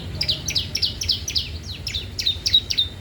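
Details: Bar-winged prinia in energetic full song, used for tutoring and luring young captive prinias: a fast, steady series of high, sharp down-slurred chips, about three or four each second, some ending in a thin whistle.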